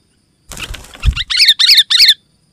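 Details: Sooty-headed bulbul (kutilang) gives three quick bright, bubbly whistled phrases in a row, preceded by a burst of wing flapping; a lure and tutor call meant to draw wild bulbuls and set captive ones singing.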